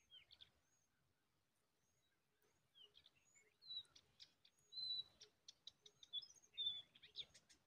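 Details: A cisticola carries a big winged worm to feed its young; a quiet start, then rapid high, thin chirps and clipped tweets in irregular bursts, growing busier and louder toward the close.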